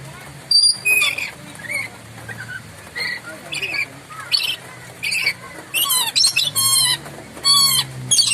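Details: Moluccan lory uttering loud, sharp calls: brief rasping squawks that grow longer and more grating toward the end, repeated roughly every half second to second, with a low droning hum in the background.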